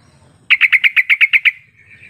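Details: Sooty-headed bulbul lure call, played to coax quiet bulbuls into answering: a rapid run of nine short, sharp chirps on one pitch over about one second, then a faint fading tone over a quiet background.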